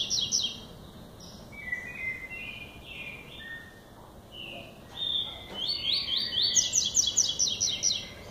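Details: Lined seedeater in classic song style starting up: scattered soft high whistles and slurs, then a louder rapid trill of repeated high notes near the end over steady background noise.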